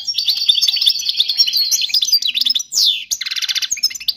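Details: European goldfinch song for training young birds: a steady stream of bright, high twittering, then a brief harsh downslurred note and a fast, buzzy rattle near the end.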